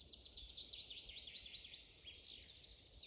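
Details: Birds singing in a spring forest: a dense chorus of high, rapid zigzag chirps and trills from several overlapping singers, notes tumbling quickly one after another over a soft, steady background hiss.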